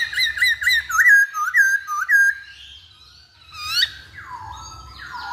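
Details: Masked laughingthrush in a lure recording: loud, clear whistled notes with a dip-and-rise shape, repeated about twice a second for two seconds, followed by quieter mixed chirps and sliding whistles.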